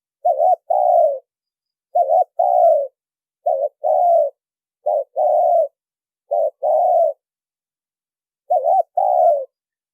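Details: Lure call of a spotted dove, recorded noise-free: low mellow coos in pairs, a short wavering lead note and a longer sliding coo, repeated six times with a longer pause near the end.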